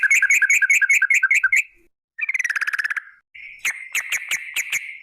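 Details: Yellow-vented bulbul, a lure meant to make other bulbuls sing: three bursts of rapid, evenly repeated chirping notes, the last set sharp and clicking over a steady ringing tone, with short silences between.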